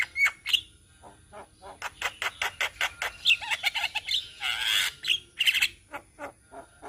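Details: Flock of untrained Javan mynas in Indonesia: rapid runs of sharp clicking notes, occasional bright chirps and whistles, and a long rough squawking burst near the middle, with overlapping voices from several birds.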